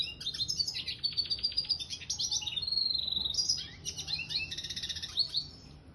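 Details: Caged red siskin mule, a finch hybrid, singing a continuous high twittering song of rapid trills, buzzy rattles and sharp chirps, loud and unbroken for the whole stretch over faint low background hum.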